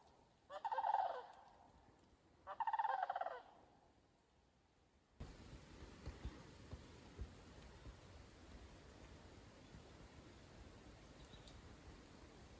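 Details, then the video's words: Sandhill crane flock heard on a thundery September morning walk at a bog: two loud rolling, rattled calls two seconds apart, followed by a sudden switch to steady noisy background without calls. "a flock of loudly squawking sandhill cranes"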